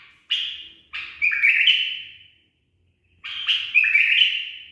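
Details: Pet bulbul, tamed and trained, delivering its 'barwaz' song: bright warbled notes building into a strong gurgling phrase with a drawn-out whistled tail, repeated after a short pause.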